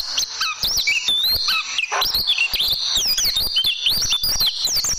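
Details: Oriental white-eye singing in tembakan style for caged-bird tutoring: varied high whistles, some wavering and some sliding, mixed with lower brief notes and frequent sharp clicks.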